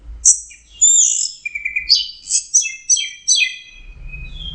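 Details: Orange-headed thrush in full song: a rapid jumble of sharp high notes, descending slurs and short trilled phrases tumbling one after another, ending with a faint low rumble.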